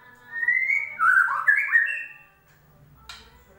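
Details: White-rumped shama song as a lure for a bird that stopped singing: a smooth rising whistle leading into a loud, complex warble of sliding notes, then quiet and one sharp click.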